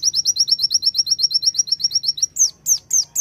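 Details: Sunda white-eye of the konin type giving a tembakan burst: a dense volley of high, sharp chirps, about six per second, ending in a few longer, downward-swooping whistles.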